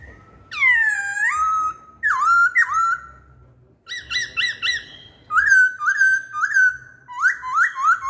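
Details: Masked laughingthrush singing, used as a lure song: loud rich whistled notes, a long swooping phrase followed by repeated slurred downward whistles, bursts of rapid rising notes, then a run of evenly spaced falling whistles.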